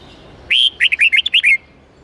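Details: Red-whiskered bulbul song of the 8–10-note wild-forest style, played to teach young birds. One quick phrase of about seven clear, bright, slurred whistled notes, rising and falling, over a soft background hiss.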